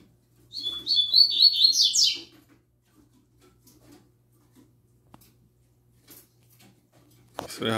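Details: Young novice double-collared seedeater delivering its "tui tui zel zel" song: about one and a half seconds of rapid whistled and buzzy notes ending in a harsh flourish, then quiet with light clicks and a sharp knock at the end.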